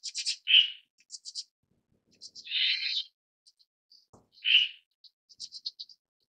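A red-billed starling gives harsh, buzzy squawks mixed with quick high chirps and squeaky twitters, in uneven bursts over a few seconds.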